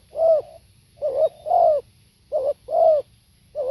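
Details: A spotted dove coos in a live recording, giving a clipped note followed by a longer, arched, mellow coo, repeated about once a second with brief pauses.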